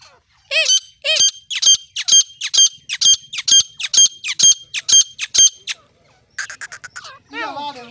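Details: Female grey francolin giving a loud, fast run of ringing, harmonic notes, about two per second and very regular, with a high metallic edge. A short pause follows, then a rougher chattering burst and a lower wavering note.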